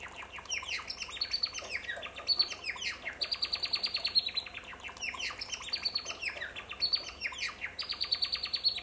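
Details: Male African silverbill (Euodice cantans) song: soft, rapid ticking twitters rising into thin high whistles, repeated in phrases every two to three seconds over a faint low hum.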